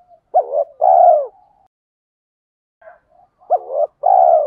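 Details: Decoy spotted dove in the "tiếng thúc" style used to stir up wild doves: a two-part coo, short hooked note then long throaty coo, a silent gap, then the same phrase repeated.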